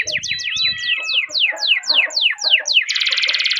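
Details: Canary song used to stimulate other canaries: descending whistled sweeps repeated steadily, then a dense buzzy rattle, with faint low thumps in the background.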